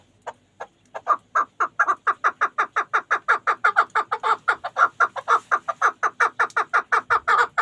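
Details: Pamir chukar partridge kept as a hunting bird, giving a long rapid series of harsh clucking chuk notes that starts with a few spaced notes, then settles into a fast, steady, even rhythm without pause.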